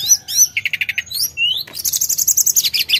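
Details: Sooty-headed bulbul in vigorous song, with high sweeping whistles, a run of evenly spaced lower chips, a single upslurred note, then a long fast stuttering trill.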